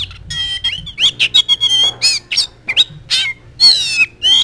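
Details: Magpie robin (kacer) in full song, used as a lure and tutor song: loud, varied phrases of clear whistles near high pitch mixed with harsh buzzy bursts and rapid chattering notes, delivered in quick succession with short gaps.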